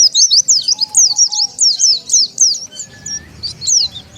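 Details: High, bright twittering from an Oriental white-eye, played to bring wild birds in: rapid up-and-down chirps, loud at first, then thinning into scattered notes.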